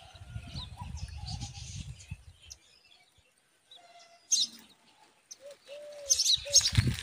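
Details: A myna feeding a spider to her chick gives harsh, scratchy chattering bursts and a few short mid-pitched whistled notes near the end, after a stretch of low wind rumble.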